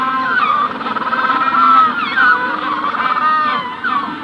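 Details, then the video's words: Adult Magellanic penguins at the hatching stage calling near the recorder at Punta Tombo, colony heard farther off; loud harmonic brays with rising and falling slides, pulsing in bursts about every second over a dense chorus. "Magellanic Penguin / Calls CU From Adults At Hatching Stage, General Colony In Distance. Punta Tomb"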